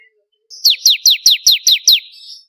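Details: A single even run of seven loud, high, steeply falling chips, about three per second, from a crystal-type bar-winged prinia singing actively as a master for training contest birds.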